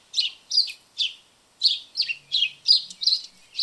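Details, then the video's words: House sparrows visiting a backyard, chirping noisily: a run of about nine short, bright chirps at a brisk, uneven pace, each a quick rising-falling note, with clear gaps between them. "House Sparrow Sounds and Calls"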